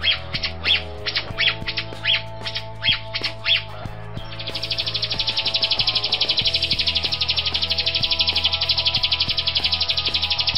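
Grosbeak starling: sharp high chirps about twice a second, then a steady, rapid buzzy trill, over background music.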